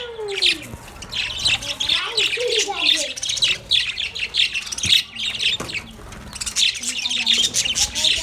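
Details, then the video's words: Pet budgerigars chattering while they play in their cage: continuous high, scratchy chirps and warbles overlapping from several birds, with occasional lower curved whistles and brief clicks. "Happy Budgies Chirping sound My Budgies play in Cage"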